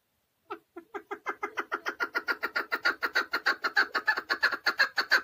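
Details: A caged chukar partridge, known locally as keklik, in Tajikistan, 2020, calls in a loud accelerating chuk-chuk series: around twenty-five clucking notes that begin spaced and soft, then grow steadily louder and faster.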